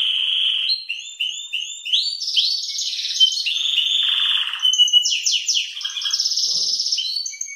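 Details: {'text': 'Belgian canary singing early in the morning: a loud, continuous song of rapid repeated trills and rolling notes, shifting between lower warbled phrases and high bright buzzy tours, with brief pauses between sections.'}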